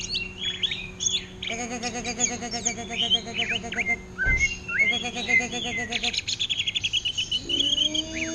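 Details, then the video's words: Greater green leafbird imitating orange-headed thrush song in ngentrok style: whistled slurs and chirps mixed with long stretches of a low, rhythmic, buzzy pulsing, with one loud thump. "Cucak Ijo Ngentrok Gaya Anis Merah"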